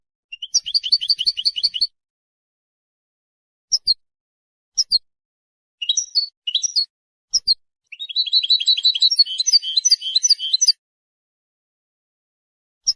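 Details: European goldfinch in long song, used to defend territory and attract females: fast, rolling trills of tinkling notes, scattered single chirps, then a rich, buzzy twittering passage, with no other sounds present.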